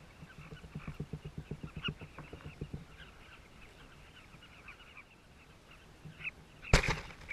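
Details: Colony of southern carmine bee-eaters in South Luangwa, captured by a camera disguised next to the nests: a quick series of low thumps opens the recording beneath faint repeated chirps, and a sharp loud crack comes near the end.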